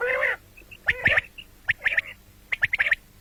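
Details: Common quail, sound presented for morning and night: a long hoarse buzzy note, then clustered sharp high clicks in quick groups of three, separated by short pauses.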